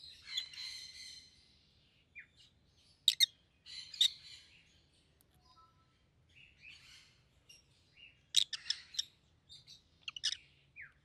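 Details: Pet rosy-faced lovebirds, one yellow and one green, both red-headed. A buzzy drawn-out note begins, then scattered sharp chirps and raspy squeaks, over a soft low background hum.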